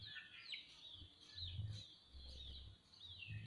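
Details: Caged Van Hasselt's sunbird in tutor-style song, giving a steady, quiet, high-pitched twitter of rapid thin notes that waver up and down, with faint low knocks in the background.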